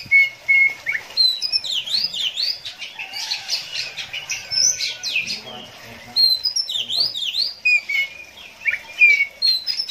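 An Oriental magpie-robin sings a rapid, varied stream of bright whistles, sweeping slurs and chattering notes, almost without pause.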